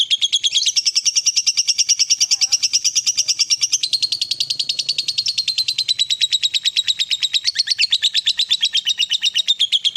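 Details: Fighter lovebird singing a long unbroken ngekek, a continuous rattling trill of rapid high chirps lasting ten seconds, shifting pitch slightly, used to stimulate a quiet lovebird.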